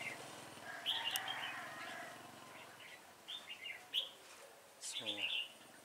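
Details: Red-whiskered bulbul in a trap-fighting session, 26 September 2017, giving quick warbled, slurred phrases at intervals of a few seconds, with a man speaking in between.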